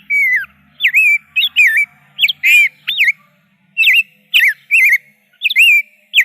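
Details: Rose-breasted grosbeak delivering rich, robin-like whistled phrases in clusters separated by short silences, each note swooping up or down, with a low murmur underneath.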